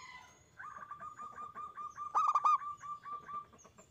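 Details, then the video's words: Zebra dove lure song: one loud burst of rapid coos stands out over a steady stream of softer, repeated cooing notes at a similar pitch, with thin, high whistles above. "Perkutut gacor suara besar bikin ON nyaut buka paruh"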